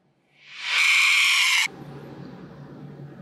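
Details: A critically endangered Abbott's cockatoo (Cacatua sulphurea abbotti) in captivity at Loro Parque Fundación gives a single harsh, rasping screech lasting just over a second, swelling in and cutting off abruptly, followed by a quiet low hum.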